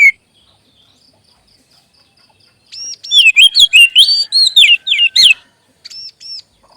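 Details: Kacer (magpie robin) pancingan song meant to boost a bird's confidence: after a lone note and near silence, paired arched whistles lead into a fast two-second run of loud, varied slurred whistles, then two more arched notes.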